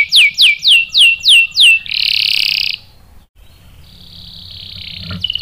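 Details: Canary singing meant to goad males into song: six high, sweeping downslurred notes in a steady rhythm, then a dense buzzy roll, a pause, and a faint rising hiss with a final brief chip.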